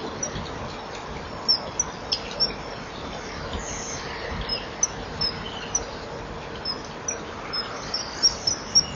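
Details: Common kingfishers, a perched female and a male from the nest tunnel, chipping at each other in early morning, 12 March 2015, before an attempted mating. Many brief, sharp, very high chips, irregular and sometimes doubled, over constant background hiss.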